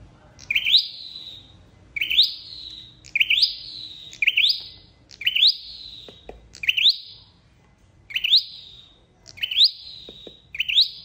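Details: Flowerpecker call used as a lure for bird trapping: sharp high notes that sweep upward, then trail off in a falling tail. They repeat about every one to one and a half seconds, with a faint low hum beneath.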